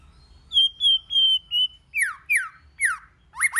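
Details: White-rumped shama singing in many voices, played to get other shamas singing: four level high whistled notes in a row, then five quick downward-slurring notes, the last ones doubled.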